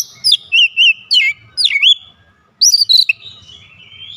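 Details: Kacer (Oriental magpie-robin) giving isian fill-in song while other kacer follow: bouncing whistled notes repeated several times, sliding whistles, a short pause, then a fast wavering phrase.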